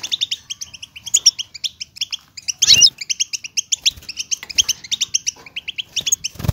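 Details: Several European goldfinches twittering together, used to stimulate silent captive goldfinches to sing: dense, rapid high chirps and tinkling notes in quick bursts, with brief wing flutters or knocks in between.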